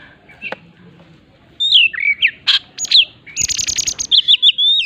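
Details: After a second and a half of near silence, an Oriental magpie-robin bursts into its rival-challenging 'shooting' song: slurred whistles, a sharp buzzy note, then a long harsh rattle and a few high whistled notes.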